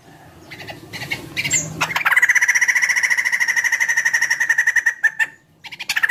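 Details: White-crested laughingthrush in full, energetic song, played to encourage other birds to sing: a few scattered squawky notes, then a long, rapid, pulsing, nasal chatter lasting about three seconds, a short pause, then chatter again.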